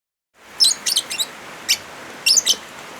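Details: Lovebird chirping over a steady rain hiss, recorded as therapy and master material for birds that have stopped singing: about seven sharp, high, squeaky chirps in clusters, with a gap before the final burst of three.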